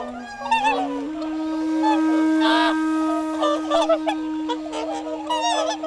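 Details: Whooper swans at Lake Kussharo, Hokkaido, Japan, on misty ice-edged water. Trumpet-like honks come in quick irregular bursts from several birds, over a long steady musical drone.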